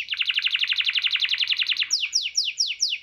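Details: Songbird masteran training recording of the 'full tembakan' style: a fast run of rising chirps repeated about twice a second, then sharp downslurred whistles spaced at even intervals.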